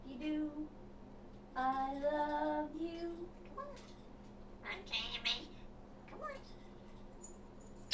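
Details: African grey parrot talking: two voiced, speech-like phrases with strong harmonic tones, the first long and wavering, then shorter breathy syllables and a few brief sliding notes, over a steady low background hum.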